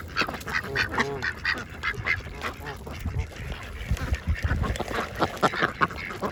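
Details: Several ducks of different kinds feeding at a pond quack in rapid, nasal bursts, calling over one another, with soft splashing and dabbling noises underneath.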